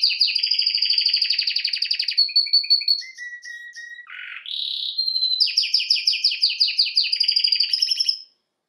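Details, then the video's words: Canary singing rapid rolling trills, then short piping notes, a low nasal note, and renewed fast pulsed tours before stopping. "Canary bird Singing"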